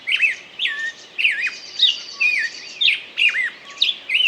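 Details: A bird sings loud, looping whistles and chirps about once a second, some notes bending down then up, with a faint high trill in the background.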